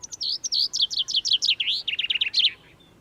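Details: Common chaffinch near the parking at Domaine de Graveyron, Audenge, just before spring with trees blossoming: a bright, rapid descending rattle of repeated notes ending in a quick flourish, about two and a half seconds long.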